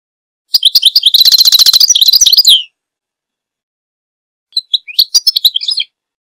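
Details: Goldfinch gives a two-second burst of rapid twittering that runs into a dense, buzzy trill, falls silent for two seconds, then adds a shorter phrase of bright, tinkling chirps.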